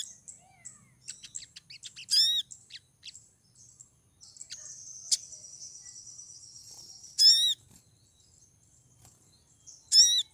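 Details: Olive-backed sunbird female in heat calls to lure a male, giving three strong high-pitched ringing downslurred notes spaced about three seconds apart, with scattered twitters and a sustained thin high buzzing trill in between.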